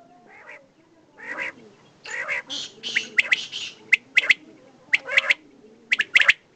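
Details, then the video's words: Male and female common quail: raspy, buzzy notes at first, then sharp clipped triplets repeated about once per second. "desi batair ki new awaz"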